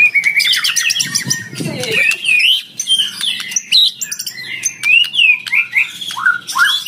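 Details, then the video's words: Rival-challenging lure song of a fighter white-rumped shama: continuous varied warbling of quick slurred whistles and high chips, with faint low sounds near the start. "PANCINGAN MURAI PASTOL FIGHTER MENGUNDANG LAWAN IKUT BUNYI GACOR"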